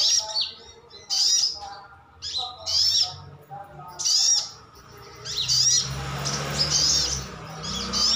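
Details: Caged brown-throated sunbird (sogon ngalas) calling to coax other birds into answering: loud, high, sharp chirps roughly every second, then a stretch of broad rustling noise under continued calls.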